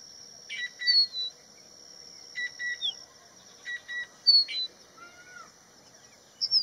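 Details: Crested bunting singing and calling on Haidakhan Road: clusters of quick high chips and falling slurred notes in short bursts, plus a lower falling whistle, all against a continuous shrill insect hum.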